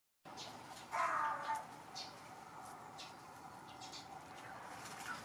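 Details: A fat crow, fed daily for years and staying close to the food, gives one harsh, nasal caw lasting about half a second, then steady low background noise and a few faint, high chirps.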